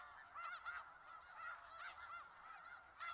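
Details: A big flock of snow geese in Skagit Valley calling together, a steady chorus of nasal honks with several nearer, sharper calls standing out over the crowd.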